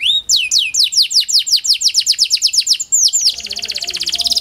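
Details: Canary singing, Kenari Panda type, used to draw song from lazy canaries: evenly spaced falling whistled notes about four per second, then a rapid buzzy trill.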